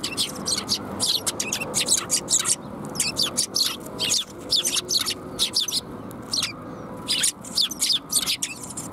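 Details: Sparrows flocking to be fed at a Tenmangu shrine in late January 2021 keep up lively, dense chirping. Short sharp tweets come in tight runs with brief pauses, and a soft urban hum sits underneath.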